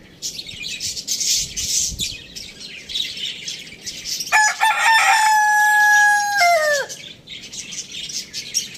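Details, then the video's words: After a stretch of background chirping from small birds, a rooster gives one full crow: a stuttering start, a long sustained harmonic note, then a falling tail. The chirping resumes afterwards. "Rooster crowing sounds compilation | Rooster crowing sound effect"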